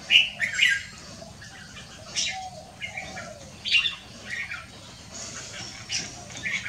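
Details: Red-whiskered bulbul on a Wednesday afternoon, 6 December 2023, giving its 'pit ja liw' song: brief bright phrases of quick warbled notes burst out roughly every one and a half to two seconds, with quieter chirps between and a low steady hum.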